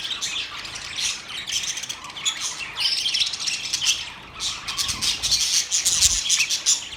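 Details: Budgerigars in a group sing and chirp, a busy wall of high scratchy twitters and squawky notes with a few brief low thumps near the end.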